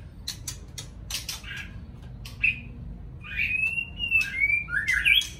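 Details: Morning song of a white-rumped shama. Scattered dry ticks open the passage, then a chain of sweet, gliding whistled notes rises and falls toward the end.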